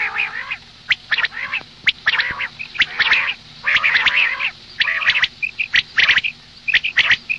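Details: Female common quail voice for morning use: nasal, rasping bursts with rich harmonics come about once a second. Short sharp clicks and brief high chips fall between the bursts.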